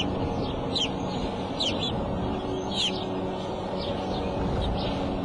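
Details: Bald eagle at the Decorah nest, April 5 in the afternoon, as the female calls and flies out; a few high squeaky chirps in short bursts, widely spaced, above a constant low background hum.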